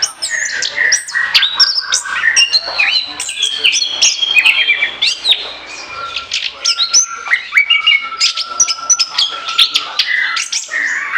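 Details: Orange-headed thrush, ngoceh song for luring: a long, dense stream of varied whistles, sharp clicks and rapid slurred notes, shifting pitch constantly with hardly any pause.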